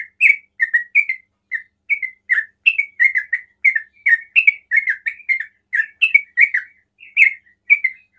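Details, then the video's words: Sooty-headed bulbul 'ropel' song, said to get other bulbuls calling: a continuous, lively stream of rich, slurred chirps in pairs and triplets, repeated steadily for about eight seconds. "TRUCUKAN ROPEL PANDAI BIKIN TRUCUKAN LAIN TERPANCING BUNYI"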